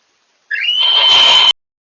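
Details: One of a pair of communicating barn owls gives a single drawn-out screech lasting about one second, rising at the start then holding steady as it turns harsher and hissier toward the end.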